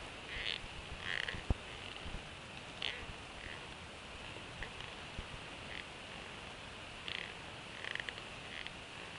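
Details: Bald eagles at a nest in Northeast Florida, an adult female sharing a fish with two eaglets hatched in December 2015. Short, thin high chirps come in scattered bursts over a steady background hiss.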